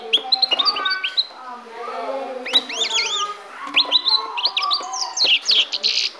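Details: Kept goldfinch (jilguero) from Ecuador, recorded in 2016, singing a fast, varied twittering song of sharp rising and falling whistled notes and short trills in bursts, with faint low voices and background noise underneath.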